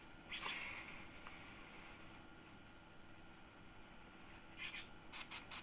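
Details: A one-week-old yellow-vented bulbul chick being fed gives a harsh, hissing burst, then a quick series of short raspy begging calls near the end, over a low background rumble.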